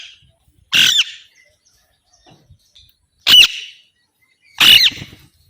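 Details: Loud, harsh squawks from an Alexandrine parakeet, three abrupt bursts spaced a couple of seconds apart against near silence.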